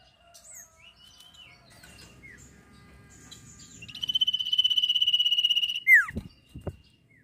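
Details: Sirpu in active trilling song, used to train songbirds: scattered soft chirps and short whistles lead into a two-second rapid high trill, then a sharp falling slur and two brief low knocks.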